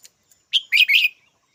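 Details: Red-whiskered bulbul giving a brief bright call: one sharp note, then two quick rich warbled notes running together over about half a second, in an otherwise quiet setting.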